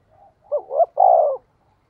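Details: Caged decoy spotted dove giving its luring call. A faint opening coo leads into two quick, rising hooted notes, then one long, steady, low coo. The phrase lasts just over a second, with quiet surroundings.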